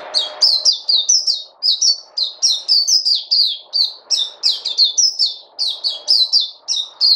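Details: Continuous run of high, sharp chirped notes from a bird, each quickly falling in pitch, delivered rapidly and steadily for several seconds with barely any pause; a soft low rumble sits underneath at the very start.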